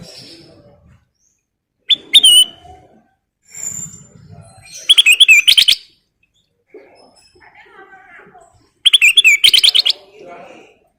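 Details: Kutilang emas, the black-crested bulbul, singing gacor: three loud clusters of rapid, harsh chattering notes with wavering whistled tones, spaced a few seconds apart, with soft low rustling and murmur between bursts.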